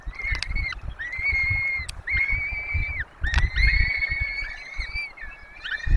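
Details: Nest webcam recording of peregrine falcons in the Barycz Valley during the feeding of four chicks. Long, even whining calls, each held for about a second, follow one another with brief gaps over a low background rumble.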